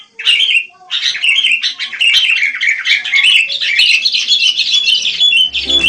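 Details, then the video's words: Busy, lively song of wild sooty-headed bulbuls: an unbroken run of bubbly, slurred chirps and warbles after a brief opening note, ending with a low thump. "Rame Kicau Burung Kutilang"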